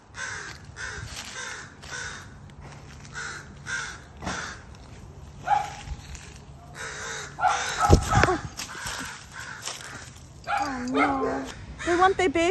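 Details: Parent crows calling after their fledgling was found on the ground, wanting their baby back; harsh caws repeated roughly every second with broadband noise, a woman speaking in between.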